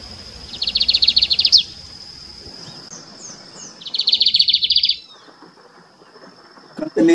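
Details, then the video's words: A lined seedeater sings in the cerrado of the Bom Jardim reserve, southern Uberlândia, Brazil, moving between perches: two quick bursts of rapid, buzzy, high twittering about a second each, over a thin insect whine and faint rustle. "E aí esse é o bigodinho cantando"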